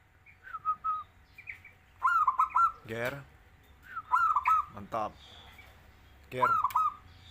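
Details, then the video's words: Zebra dove, a bird being trained to sing vigorously, giving four spaced cooing phrases of soft rolling notes, broken by loud harsh buzzing bursts and a few faint higher chirps. "burung perkutut menjadi fighter gacor tak kowor2"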